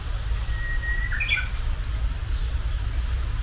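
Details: Japanese bush warbler, the herald of spring, giving its first song of the spring: a long steady whistled note that ends in a quick burst of slurred, rising and falling notes, with a faint second whistle after it and a low rumble of background noise.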